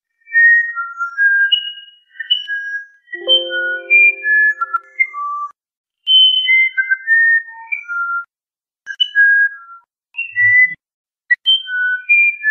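A musician wren sings phrases of pure, flute-like whistled notes that jump between high and low pitches, with brief pauses and one lower, harsher note early on.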